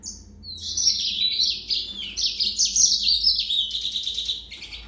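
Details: Yellow-fronted canary in continuous, rapid, high-pitched song, a tumbling run of chirps, slurred whistles and trills that keeps going for several seconds without a break.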